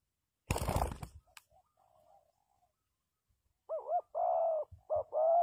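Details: Spotted dove cooing to lure wild doves into a trap: after a loud rustling knock, a low phrase of short and drawn-out coos follows.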